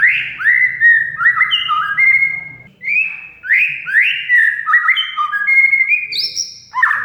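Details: Oriental magpie-robin (kacer) song used to lure a silent bird into singing: layered rising whistles and sliding notes in two long phrases, ending with a high note and a short trill.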